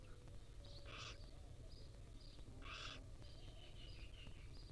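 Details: Wild barn owl chicks begging while their mother feeds them at the nest: two loud, harsh, hissing bursts about two seconds apart, with soft faint chirps between them over a low background rumble.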